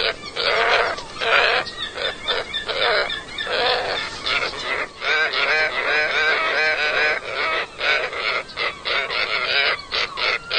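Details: A group of scarlet ibis calling together in a dense, continuous chorus of overlapping nasal honks and grunts, rhythmic bursts several per second with barely a pause throughout.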